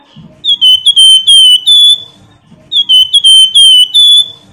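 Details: Flamboyan singing as a prompt for other birds: two phrases of loud, clear whistled notes, slightly downslurred and run together, each phrase under two seconds, separated by a short gap.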